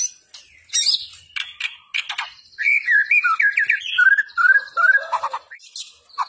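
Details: White-rumped shama singing in energetic fighter gacor style: scratchy high notes open, followed by a long flowing run of varied warbled and whistled phrases, rich and rapidly changing in pitch.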